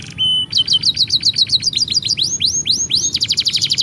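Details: Singing canary used as a tutor for young canaries: a brief steady whistle, then quick repeated chips, rising slurred notes, and a dense, rapid high trill at the end.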